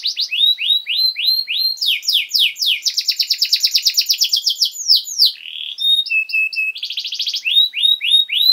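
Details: Canary master song for young birds, with repeated rising-falling sweeps, a fast buzzing trill, short flat whistles and a pulsed rattle, then sweeping notes again.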